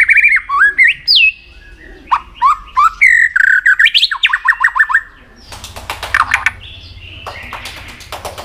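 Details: White-rumped shama song practised for contests: looping whistles and a fast series of downslurred notes, then a noisier stretch of sharp clicks and harsh chatter.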